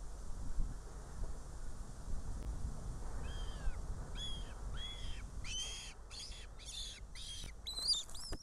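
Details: Northern goshawk at a nest in Riga, Latvia, filmed by a live nest camera on 19 June 2017 around 15:00. A female brings prey and leaves her chick. After three quiet seconds, arched, whining calls repeat and grow louder and denser, with faint background rumble.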